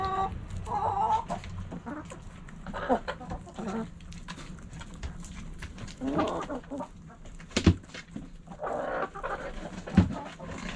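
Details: Hens in a backyard clucking: groups of short, nasal, harmonic clucks come every few seconds, with scattered clicks and knocks between them and a low hum throughout.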